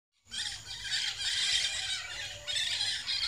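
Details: Large wild flock of scaly-headed parrots feeding on tamarind flowers in tamarind trees, giving a dense continuous chorus of harsh squawking and shrill screeching calls, overlapping throughout.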